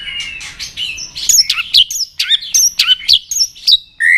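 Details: White-rumped shama stimulated to fight-sing; quick series of high, sharply slurred whistled notes and clicks repeated in rhythmic bursts, ending on a rising whistle.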